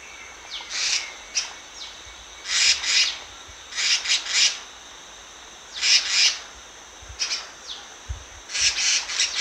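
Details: A Black-naped monarch sings in a lure recording, giving repeated high, grating bursts in pairs and triplets, each a scratchy saw-like rasp, spaced by gaps of about a second or more.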